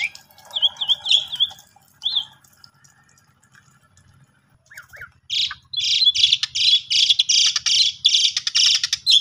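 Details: Asian pied starling song used as a lure for a silent bird: a few soft whistled notes, a quiet spell, then a long loud stretch of harsh, scratchy bursts.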